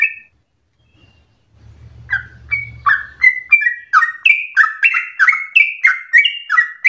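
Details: Sooty-headed bulbul in fast, emotional, nonstop song for stimulating and tutoring other birds: one brief note, a pause with a low rumble, then a quickening run of chirpy whistled notes rising in loudness, about three per second.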